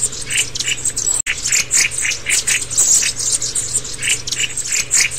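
Black-throated Bushtits give thin, high, rapid twittering calls, several birds overlapping in quick bursts, over a faint low hum.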